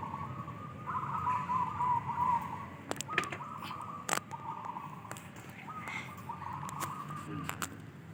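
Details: Sunday morning contest practice for zebra doves in Indonesia ahead of an anniversary competition: steady mellow cooing with a quavering, rippled phrase early, then level repeated coos, with sharp clicks, chirps and voices around.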